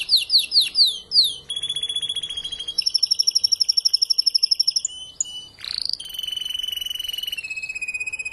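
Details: Spanish timbrado canary, a tutor and breeding bird singing after its moult: a few descending slurred notes, then a chain of fast trilled tours at changing pitches, a sharp sweep, and a final lower rolling trill.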